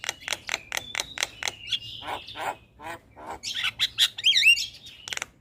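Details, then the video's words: Starling vocalizing to coax caged starlings into song. A fast train of dry clicks gives way to drawn whistles, then a burst of warbled, twisting whistled notes near the end. "Terapi Semua Jenis Burung Jalak Sekali Putar Jalak Macet Bunyi Seketika Nyaut"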